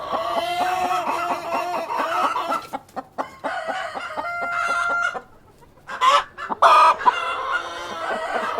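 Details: Chickens, cockerel and hens, on a farm giving strings of short harmonic clucks, then a pause and a few louder sharp squawks.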